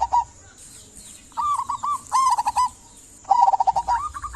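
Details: Active local zebra dove song, played to get silent doves singing: a brief coo, then three phrases of quick rolling, mellow pulses with gaps of about a second between them.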